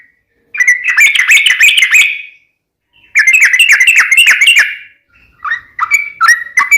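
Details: Sooty-headed bulbul in two rapid runs of rasping chatter, then a switch to short clear whistled phrases at the end.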